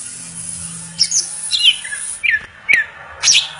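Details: Greater green leafbird singing; varied clear whistled notes, some sliding downward and some chirped, in an irregular phrase over a steady high hiss and a low background hum.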